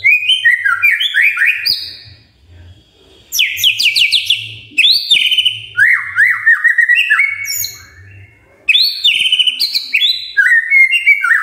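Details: Magpie-robin singing in the morning to prompt silent magpie-robins to answer: varied bursts of whistled, slurred notes and rapid descending trills, separated by brief pauses.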